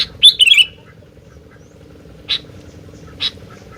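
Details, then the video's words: Sooty-headed bulbul giving one quick bubbly, falling phrase followed by two isolated sharp chirps about a second apart, with a quiet low hum in the background. "Burung Gentilang Gacor"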